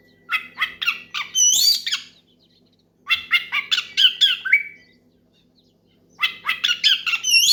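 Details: Oriental magpie-robin singing hard to call out a rival and stir others to sing: three bursts of rapid harsh notes with upslurred whistles, separated by short silences.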